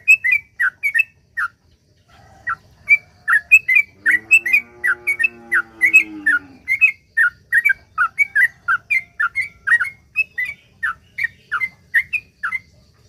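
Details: Sooty-headed bulbul in long, rapid-fire 'ropel panjang' chattering song, used as a lure to prompt other bulbuls to sing: quick bubbly two-note phrases repeated almost nonstop, with a brief low harmonic droning sound midway.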